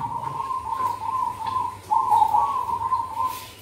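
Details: Zebra dove song used for luring birds in the cold season: a steady low cooing run of soft rolling notes, with a louder, slightly wavering stretch in the middle and faint background hum.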